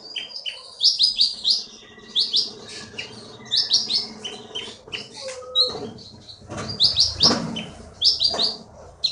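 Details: Wild-caught Bangka forest songbird, a champion contest singer from Bangka Belitung, delivering bursts of high whistled and chattering notes in clusters, with lower-pitched background noise and a brief rustling near the middle.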